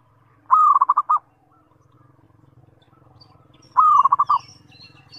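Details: Two cooing phrases from a zebra dove (perkutut) sung as a lure to draw replies from other zebra doves: each a sustained note then rapid pulsed beats, with a soft low hum running underneath.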